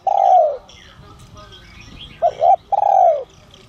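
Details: Spotted dove in the 'giọng son' style calling to bring in wild doves: a long falling coo, a pause, then two short coos and another long, smooth, slightly descending coo. Faint chirps are heard behind.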